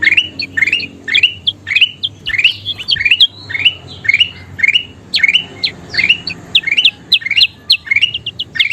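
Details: Kutilang emas (bulbul) singing actively, used to train other birds: nearly two phrases a second of bright upslurred whistles, some doubled or tripled, becoming denser and sharper toward the end.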